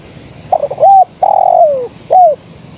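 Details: Spotted dove female calling the male, a lure call: a brief coo, an arched coo, a long sustained coo gliding down at its end, and one last curved coo, deep and soft against near silence.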